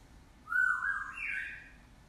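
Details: Pet African grey parrot, about ten months old, imitating a screaming human, the first sound it learned; a single loud, wavering, scream-like cry lasting about a second, jumping higher in pitch midway, in a quiet room.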